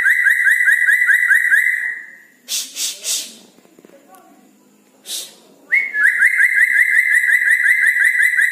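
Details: Red-breasted parakeet calling at night, a fast run of bright, rattling whistled notes, nearly three per second, broken midway by a few harsh scratchy bursts.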